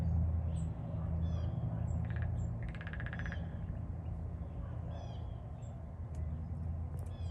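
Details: A female Downy Woodpecker gives a short, rapid drum roll, plus a briefer burst before it, over a steady low rumble with faint high chirps from other birds.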